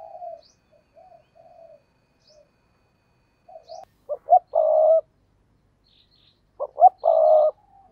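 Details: After quiet low coos, a spotted dove kept as a decoy gives two full phrases about two and a half seconds apart: two brief notes then a long, level coo.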